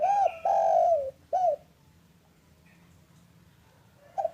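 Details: Afternoon call of a local spotted dove, played as a lure to prompt reluctant doves to call. An arched coo and a long descending coo are followed by a shorter arched note. A quiet pause follows, then a faint coo begins.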